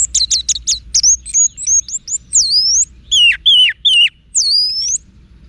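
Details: Wiksar-style song of an orange-headed thrush (anis merah), played to goad cage birds into answering: fast stuttered high chips, then loud sweeping whistles and descending slurred notes, repeated almost three times a second, with a clean, quiet background.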